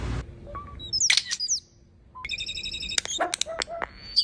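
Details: A Common starling (Sturnus vulgaris) mimics, running through a rapid medley of sharp whistles, clicks, squeaks and buzzy rattling notes, each well under a second, in varied imitated phrases.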